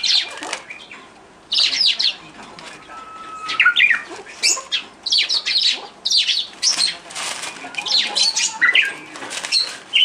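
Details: Rainbow lorikeet giving harsh, high screeching calls in clustered bursts separated by short pauses, with brief thin whistled notes between the louder squawks.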